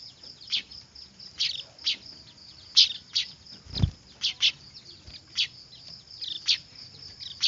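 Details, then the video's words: Clamouring weaver chicks, used as a lure for trapping: quick high squeaky chirps in uneven bursts above a steady high hiss, with one dull low knock midway. "Suara anakan burung manyar ribut cocok buat pikat"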